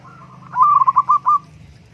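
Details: Local perkutut, the zebra dove, giving one rapid rolling coo: a soft lead-in note followed by five or six quick pulsed beats at steady pitch, with a low hum beneath.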